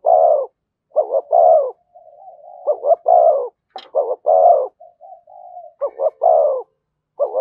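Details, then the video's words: Spotted dove, thổ-voice cooing with thúc and kèm calls: about five loud three-part phrases, each with two short notes and a broad falling coo, with quiet murmuring notes between them. "tiếng cu gáy giọng thổ thúc và kèm hay nhất"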